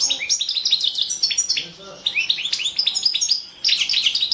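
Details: European goldfinch of the Balkan form Carduelis carduelis balcanica, competition recording for the 2017 World Championship in Goldfinch Song; rapid twittering song of bright rising slurred notes and trills, with a brief lull midway.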